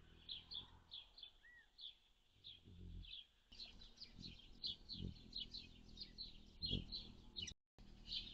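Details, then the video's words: Hummingbird recorded June 7, 2022, on a day with a high of 76F and a low of 51F: a steady run of sharp, high chips repeated several times a second, with a brief lower whistled note from another bird and low background rumble. "Hummingbirds - June 7, 2022"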